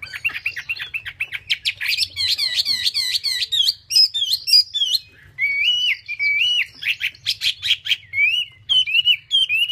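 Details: Chinese hwamei song: energetic, varied phrases of repeated whistled notes, some buzzy and rapid, others steady and clear, changing pattern every second or two.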